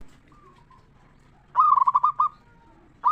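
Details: Local zebra dove singing in a strong ngeristal style, kept to lure and stir other zebra doves into song: a soft low coo, then a loud rapid trilled coo phrase of about six pulses, with another phrase starting at the end.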